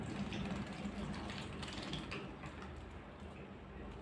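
Dense mechanical rattling and whirring over a low hum. No animal sound is heard.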